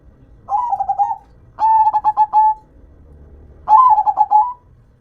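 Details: A local zebra dove in full song gives three rolling coo phrases. Each is a rapid, pulsed run of mellow notes lasting under a second, spaced about a second or two apart.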